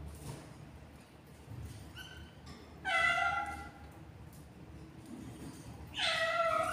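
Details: Albino budgerigar pair raising hatched chicks, four of seven eggs hatched; soft faint chirps give way to two loud, harsh, harmonic squawking bursts a few seconds apart, each lasting about a second.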